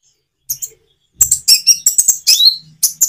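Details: Common iora song with natural pauses, meant to prompt reluctant birds to answer. Two quick high chirps, a short silence, then a dense burst of sharp high-pitched chirps and a downslurred whistle.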